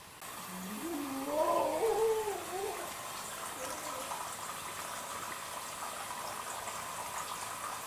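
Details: Hyogo Ajidori chicken at Tajima Pasture Park, Hyogo Prefecture, Japan, recorded 27 November 2019: a wavering, rising-and-falling crow-like call lasting about two seconds, then steady broadband hiss with faint background sound.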